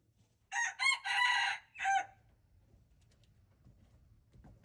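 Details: A wild red junglefowl rooster gives a raspy four-part crow, short notes around a long held middle one, on February 26, 2025, followed by nearly three seconds of low background rumble.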